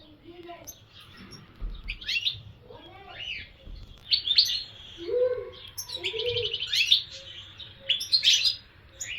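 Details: European goldfinch song of scattered chirps and slurred notes building into dense twittering trills and buzzy rattling phrases toward the end, over a low background hum.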